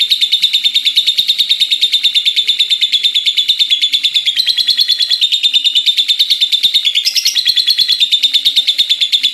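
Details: Lovebird chattering at length, a fast, regular pulse of high piercing notes about three per second, steady in pitch with brief upward jumps near the middle and end.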